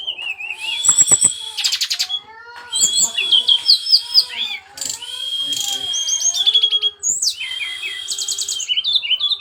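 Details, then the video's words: Loud, busy song from a brown-chested jungle flycatcher: sharp rattling bursts, wavering whistles and quick upslurred chirps following one another almost without pause. "kicau burung sikatan rimba dada coklat"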